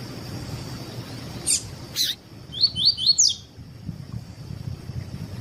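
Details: Double-collared seedeater's 'tui tui' song, used by breeders to teach and warm up other birds: after two clicks, four quick rising whistles lasting under a second over faint background hiss.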